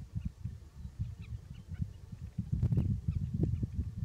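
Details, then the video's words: Glossy ibis "singing" at Alykes Kitros, Greece: low, hoarse grunting notes repeated rapidly, about four per second, growing louder past midway, with some faint higher chatter in the background. "Ευρασιατική Χαλκόκοτα - Plegadis falcinellus "singing""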